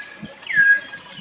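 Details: Wild common hill myna in hill country around Sylhet, Bangladesh, gives one clear whistled note that slides downward, over a steady high insect drone.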